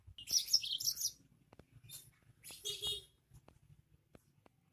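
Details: Yellow-fronted canary, called burung mozambik, giving a fierce, powerful song: two bursts of rapid, high twittering warbles, each lasting about a second, separated by quiet gaps with faint low clicks and soft room noise.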